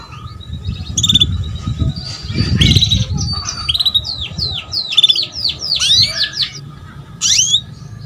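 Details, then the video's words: Female canary drawing out a young male's song with a busy run of rapid rising and falling chirps and short trills, amid low rumbling noise and a steady hum. "KENARI BETINA MEMANCING JANTAN || PANCINGAN KENARI PAUD AGAR BUNYI"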